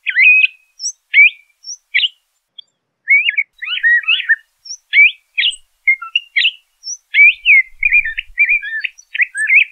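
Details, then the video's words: Continuous varied singing from a LeConte's thrasher: sharp chirps, rapid warbled phrases and brief whistles at short intervals, with a few faint high notes above and a soft low thump near the end. "LeConte's Thrasher Bird Song, Call, Chirp, Voice - Cuitlacoche Pálido Canto"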